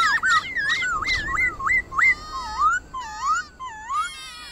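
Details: Song of the white-cheeked laughingthrush in the forest voice, played to get caged birds singing: zigzagging whistled notes rising and falling in quick succession, followed by several separate dipping, looping phrases.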